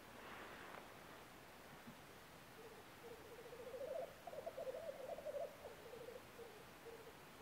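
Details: Black grouse in the Norwegian woods, early spring in April 2012: a brief breathy hiss at the start, then a low, pulsing, cooing bubbling warble that swells midway and fades over several seconds.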